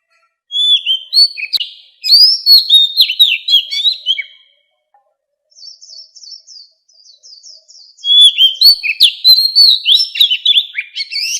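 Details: Oriental magpie-robin in standard forest-voice song, used to train the voices of captive fighting birds: two bursts of rich, varied whistles and sweeping notes, separated by a quieter run of fast, thin high twitters.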